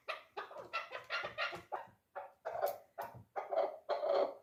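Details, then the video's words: A chukar partridge, three-year-old dulan hunting bird, repeating gritty clucking bursts, with a brief gap midway and fuller, longer notes toward the end. "Кабки дулан"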